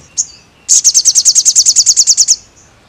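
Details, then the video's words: Crested jay song for training caged birds: one sharp chip, then a fast run of about fifteen evenly spaced high, piercing notes lasting under two seconds before stopping. "sogon gacor pelatih burung anda"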